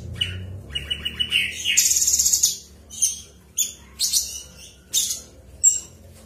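A bulbul sings in quick spurts of sharp, high chirps and rattling, rapid-fire trills, several bursts about a second apart, over a quiet background.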